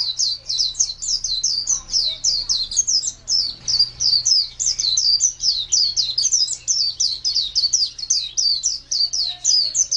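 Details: Kept contest white-eye, local name pleci, 2017, singing a dense unbroken stream of high, rapid slurred chirps for the full stretch, with a steady low hum underneath.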